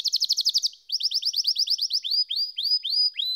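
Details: Canary song: a fast trill of bright notes, then a run of buzzy repeated phrases and slower rising whistled sweeps, all high-pitched and clean with no other sounds.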